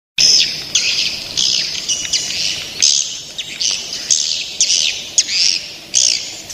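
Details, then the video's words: Young swiftlets calling: a run of buzzy, high chirps, each about half a second long, repeated irregularly with short gaps between them. "Suara walet ngeri sedap, Walet Remaja"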